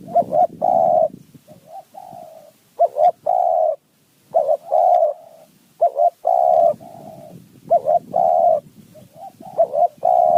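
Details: Wild spotted dove of high mountain forest calling back to a decoy: clear, mid-pitched coo phrases, clipped double notes leading into long rough coos, repeated with brief silences and quieter interjected coos.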